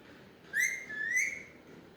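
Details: Pet Alexandrine parakeet utters a clear two-part whistled phrase, a sharp rising onset followed by a longer wavering tone, in a quiet indoor setting.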